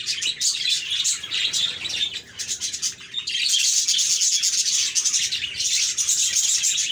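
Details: Cheerful budgerigar chatter: many rapid, high chirps and buzzy warbles overlapping in a busy stream that grows denser and louder after about three seconds.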